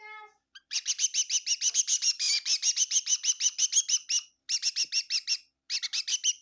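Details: A bird in a home kitchen near Kohima chirps in long rapid runs of sharp notes, after a short soft tone at the start, with two brief pauses.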